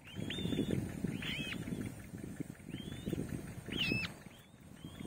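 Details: White-tailed kite chicks begging for food on seeing their mother: thin, arched whistles rising then falling, repeated irregularly at roughly one-second gaps, over steady low rumbling background noise.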